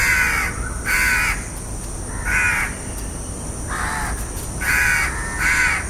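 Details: Repeated rasping caws from a House crow, short hoarse blasts roughly every second, coming in uneven pairs and singles against constant low rumble.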